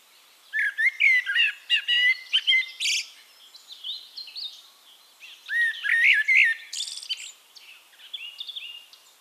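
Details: Two back-to-back song phrases from a Eurasian blackbird in Castricum, the Netherlands, each of low rich whistles tumbling into a scratchy high twitter, with softer bird chatter in between.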